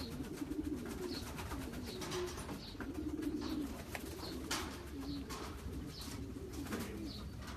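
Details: Champion long-distance racing pigeons in a loft, giving low, soft, rolling coos in short phrases repeated every second or so, with a steady background rumble and faint higher chirps.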